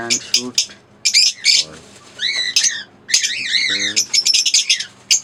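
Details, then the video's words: Pair of green Fischer's lovebirds trading shrill chirps and harsh squawks, including stacked bent whistles and short buzzy chatter in irregular bursts. "Singing & Chirping Sounds - Green Fischer Pair"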